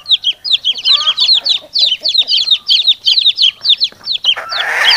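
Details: Chicks and a hen calling to each other. A rapid chorus of high, downslurred chick peeps runs over faint, lower hen murmurs, ending in a rising wash of rough noise.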